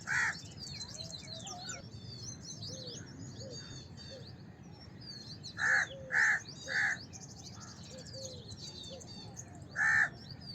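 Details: House crow giving loud harsh caws, one at the start, then three in quick succession after a pause and a final one near the end, against steady chatter and chirps of other small birds.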